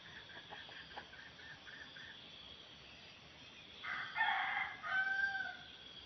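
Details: Red junglefowl reacting to a decoy rooster at a trapping arena beside swampy scrub: a run of quick, soft clucks, then a loud, ragged crow ending in a long level tail note, with insects whining throughout.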